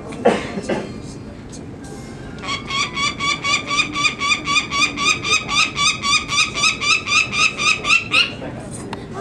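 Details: Peregrine falcon nestlings (three females, one male, fairly well feathered) give harsh, grating screams, about four per second, excited while being handled and banded at Market Tower, Indianapolis, on 19 May 2009, after a few words of speech.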